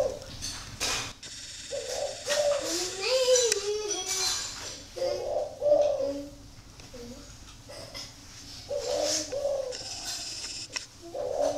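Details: Caged spotted dove at a bird farm in Ba Vì, Hanoi, northern Vietnam, giving low soft cooing phrases in short bursts, with sharp knocks and clicks, rustling and a few human voices nearby.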